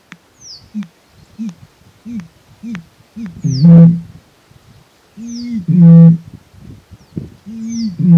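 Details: A Eurasian bittern (Botaurus stellaris) in Tauragė, Lithuania gives soft gulping hiccups that build into deep, hollow booms about every two seconds; faint high, falling whistles from other birds sound above.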